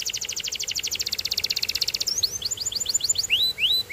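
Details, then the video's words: Canary singing a fast trill of rapid repeated notes for about two seconds, followed by spaced, upward-hooked chirps. "Get Ready To Be Amazed By The Incredible Sound Of This Special Canary"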